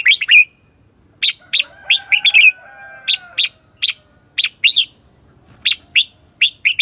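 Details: Red-whiskered bulbul singing a competitive ché chéc lure song used to train and excite other bulbuls: bursts of crisp high chirps in pairs and triplets, separated by brief pauses, some notes with short downward slurs.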